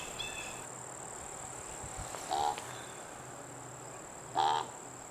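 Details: Spruce grouse, one of three birds (male, female and juvenile) feeding in Algonquin Provincial Park, Ontario, in fall; two short tonal notes with stacked harmonics about two seconds apart, over a steady high-pitched background whine.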